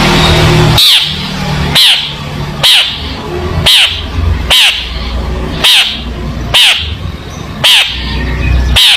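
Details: Long-tailed shrike, a tutor recording for young shrikes learning to sing: loud, harsh, downward-sweeping notes repeated roughly once a second over a steady low background hum.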